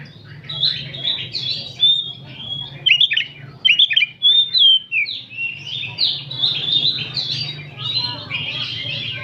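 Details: Group of oriental magpie-robins singing in the afternoon, used to train other birds; busy overlapping whistles, sharp upslurred notes and rapid chatter without pause, with a low hum underneath.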